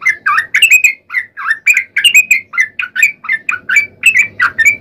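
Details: Yellow-vented bulbul pouring out a continuous lure song meant to set other bulbuls singing, with liquid, slurred notes rising and falling in quick succession without a break.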